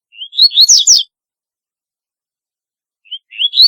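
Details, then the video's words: Double-collared seedeater delivering its unusual song, a quick series of rising whistled phrases ending in bright slurred notes, followed by a two-second pause and the start of another phrase. "Top demais cantando muito diferenciado #papacapim"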